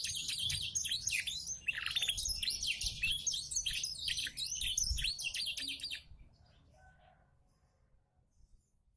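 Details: Klaten canary trained on black-throat song: six seconds of fast, loud twittering and buzzy downward-sweeping notes, roughly two and a half per second, then it stops abruptly, leaving near silence.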